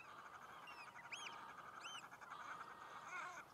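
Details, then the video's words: Shelducks locked in mating-season fights: clear arched whistles repeat about once a second over a continuous mass of harsh lower calls. "Shelduck lovefights / Bergeend liefdesgevechten"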